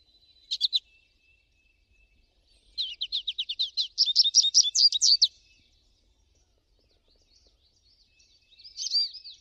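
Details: American goldfinch singing in nature: an isolated chirp, then a long accelerating run of high twittering notes lasting about three seconds, and a final soft wavering phrase.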